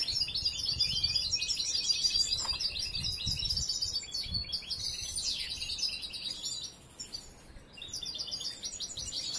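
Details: Young European goldfinch, raised from hatching and still learning its song, giving continuous high, scratchy twittering and trills over a background of low rumbling noise, fading briefly near the end.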